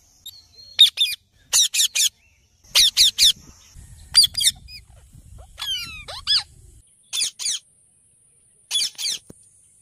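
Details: Ringneck parrot repeating short, sharp, high squawks in pairs and triplets at uneven intervals, with a few quick downward chirps and low rumbling noise in the middle.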